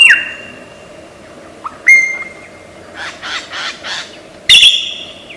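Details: Mimicking lyrebird of Australian forests: a long flat whistle, then a rising slur and another sustained whistled note, a burst of rough noisy rasps, and a loud bright ringing phrase at the end.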